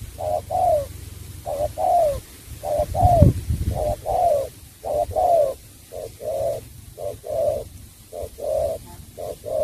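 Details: Spotted dove from Cà Mau cooing in short phrases of soft hooted notes, the longer notes sliding downward, phrases repeating about once a second over faint low background noise.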